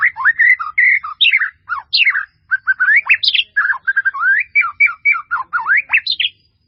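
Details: Long melodious phrase of white-rumped shama song from a full-fill training recording: many rapid whistles and chirps sweeping up and down, densely packed, with varied notes and a few short pauses.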